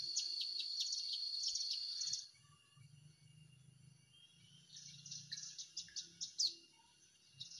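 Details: Hill prinia call used to lure birds for trapping in Indonesia: two seconds of dense, high repeated chirps, a quiet gap with low hum, then sharper separate notes building to a slurred accent.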